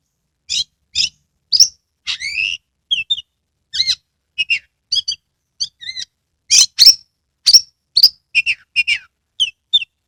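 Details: Kacer lure song from a caged magpie-robin, used to prompt reluctant birds into full song with spread tail: a steady run of varied whistles, squeaky chirps and downslurs, one every half second or so.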